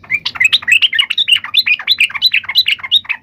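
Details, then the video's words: Lively yellow-vented bulbul chattering, sung to provoke other bulbuls into replying; a continuous string of quick, liquid, warbled notes, roughly five per second, without a break. "trucukan gacor SUARA TARUNG INI menjadikan burung trucuk gacor NYAUT SEKETIKA"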